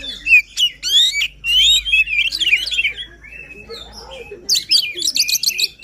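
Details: White-rumped shama singing passionately, intended to get a reluctant shama singing: sweeping whistled phrases and scratchy trills, a quieter pause, then a renewed chatter.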